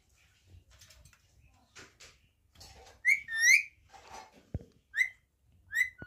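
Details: Talking parrot giving sharp, bending whistled chirps and short squawky notes scattered across six seconds, the loudest in a cluster near the middle, over faint indoor background.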